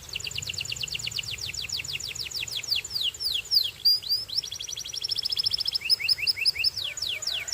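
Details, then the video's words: Caged Belgian canary singing fast trills of sharp descending notes, repeated many times a second, shifting between rolls of different speed and pitch over a steady background hiss. "Belgian Canary Singing"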